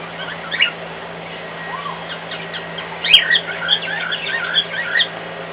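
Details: A pet cockatiel sings indoors, louder than usual, in response to a hairdryer running in another room. A quick warbling run of chirps and squeaky whistled notes plays over the hairdryer's steady hum.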